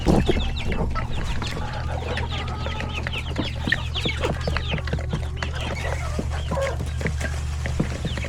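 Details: Chickens, roosters and many chicks at lunchtime in a coop; dense stream of short peeps and clucks with pecking clicks over a strong low hum.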